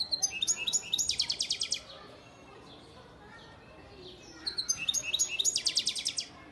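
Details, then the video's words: European goldfinch, a breeding sire bird from Antalya, Turkey, recorded in 2018, singing two bursts of rapid, high, tinkling trills and buzzy notes separated by a quiet pause of about two seconds. "Saka kuşu ötüm"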